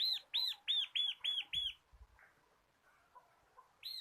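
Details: Local bar-winged prinia, cage bird recorded as a lure for others, singing six quick, loud arched chirps, then a near-silent pause with faint soft notes and a final chirp.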